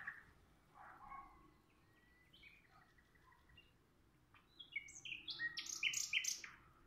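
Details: Common nightingale countersinging with a nearby rival: varied whistled phrases around mid pitch, then a louder burst of high, clipped, stacked notes near the end, over faint background noise.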